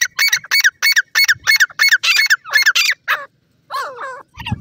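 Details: Grey francolin chicks fighting over grass in a forest: a rapid, squawky run of harsh harmonic notes, about three per second, then softer wavering calls after a short pause.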